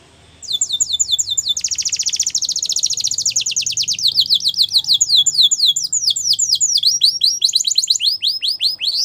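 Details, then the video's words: Continuous training song of a yellow canary: rapid downward-sliding whistles repeated many times, a tight fast trill, then more sweeping notes running on without a break. "Yellow Canary Singing | The Best Canary Training Song"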